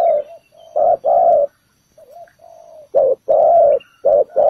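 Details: Ground decoy spotted dove calling to draw birds to a trap: a soft low coo, then loud, full cooing notes in short-long pairs after a quiet gap, close and strong.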